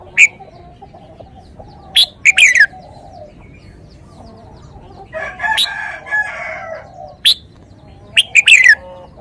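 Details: Red-whiskered bulbul song: sharp high chirps and short descending warbled phrases spaced several seconds apart, with a burst of noisy rustling in the middle and soft low hum throughout.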